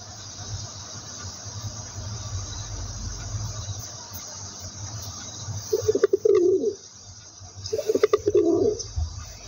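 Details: After several seconds of quiet background hum, a pigeon gives two low rolling coos, each opened by quick clipped notes.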